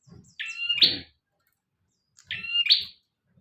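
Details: Two clean phrases from an actively singing bar-winged prinia, each a flat piercing whistle that breaks into a brighter, buzzy upward burst, spaced nearly two seconds apart, with little else heard; intended for training other songbirds.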